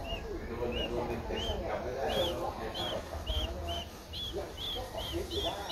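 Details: A 12-day-old Streak-eared Bulbul chick in Ubon Ratchathani, Thailand, on 14 April 2023 gives a steady series of short, high, arched chirps, about two per second, over a low rumble.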